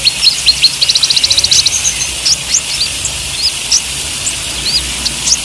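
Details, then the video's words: Konin, the olive-backed sunbird, in trotol and ijoan song styles for training caged birds: a quick high trill of evenly repeated notes early, then scattered sharp upslurred chirps over a steady hiss. "Suara KONIN Gacor || Terapi OMBYOKAN konin TROTOL DAN IJOAN"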